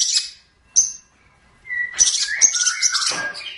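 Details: Long-tailed shrike (pentet or cendet) in a training song for other birds. Isolated sharp high notes, then a busy jumble of squeaky whistles and lower slurred notes.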